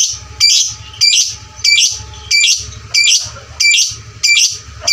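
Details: Lovebird calls played loud to train and provoke fighter lovebirds into singing: shrill, harsh chirping bursts repeated steadily about every 0.6 seconds, each burst a tight cluster of high squawks, with low thumping noise beneath each burst.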